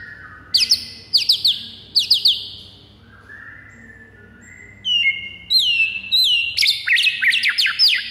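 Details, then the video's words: White-rumped shama fighting song to provoke other birds: bursts of quick high chatter, a quiet low whistle, then down-swept whistles and a dense run of sharp notes. "MURAI FIGHTER PENDONGKRAK EMOSI DIJAMIN NGAMUK DALAM HITUNGAN DETIK"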